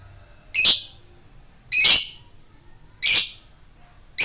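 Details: Lovebird giving its 'ngetik koek' call, used as a lure to excite other lovebirds into singing. Loud, harsh, shrill squawks, each about a third of a second, repeated roughly every 1.2 seconds over a faint steady high tone.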